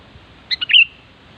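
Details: Sooty-headed bulbul in the wild, giving a short bubbly phrase of three or four quick chirped notes that ends on a brighter, slightly drawn-out whistle, over a faint hiss.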